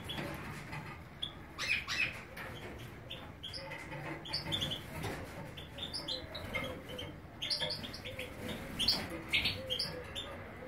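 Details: European goldfinch of the major form in Greece: a lively, continuous twitter of short, bright chirps and tinkling notes packed closely together, with a low background hum throughout.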